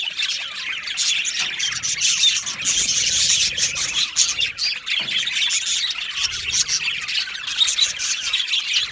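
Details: Many budgie parakeets in a colony aviary chatter at once: rapid high chirps, squawks and tweets overlapping into a constant, lively wall of sound.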